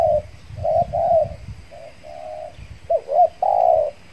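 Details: Trained spotted dove decoy in Riau Islands, Indonesia, luring wild doves after finishing its moult; gentle hollow coos of varying length, some short, some drawn out, ending with a rolling note and a long steady coo, low rumble beneath.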